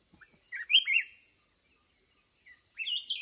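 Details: Aggressive wild red-whiskered bulbul heard at the day's last trapping session, giving two quick, lively whistled phrases with slurred notes separated by a pause, a constant high-pitched insect whine behind.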